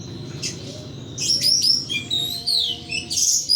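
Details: Pet thrush in a cage pouring out an energetic ngeplong song, with quick high whistles, sharp upward-flicked notes and twittering phrases that barely pause, over a faint low background hum.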